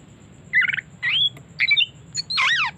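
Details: Oriental magpie-robin, a kept bird used as a lure, giving short separate phrases of whistled and buzzy notes between 2 and 4k, with pauses between them and a low steady hum underneath.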